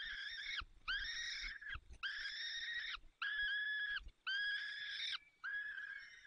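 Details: Peregrine falcon nest, Barycz Valley, Poland, 30 April 2020 at 14:28, with the male feeding the chicks: six loud, rasping, flat wails, each about three-quarters of a second, given in quick succession with faint thumps between.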